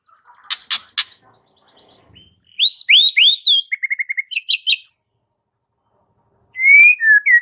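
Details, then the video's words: Varied White-rumped shama song for encouraging a quiet bird to sing: scattered clicks, then looping slurred whistles, a quick even series of notes and chirps, a silence, and a new burst of whistles. "Murai Batu MANDEK jadi NARUNG dengar MASTERAN ini"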